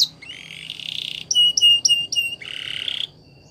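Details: Belgian canary song for canary training, a buzzy rolling trill, then four loud separate whistled notes with sharp onsets, followed by another rattling roll that stops abruptly.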